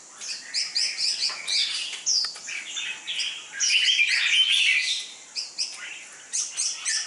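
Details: Fierce-tempered red-whiskered bulbul headed for competition training, heard in an energetic medley of rapid chirps and rolling warbled whistles, pausing briefly before more quick notes.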